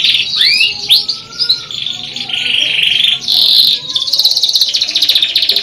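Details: Canary singing, a master song for training; varied high whistled notes and rising sweeps, then dense buzzy trills and rapid repeated chips, loud and continuous.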